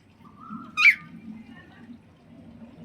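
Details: An Alexandrine parakeet over a year old, which is learning to talk, gives one brief call: a thin rising whistle breaking into a loud, harsh screech. A low indoor rumble continues underneath.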